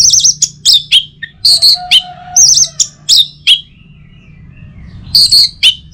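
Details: Lively Orange-headed thrush song recorded in Singaraja, North Bali, intended to encourage other birds to sing in the morning. Rapid mixed chips and high whistles come in uneven bursts, pause briefly, then resume with bright chirps.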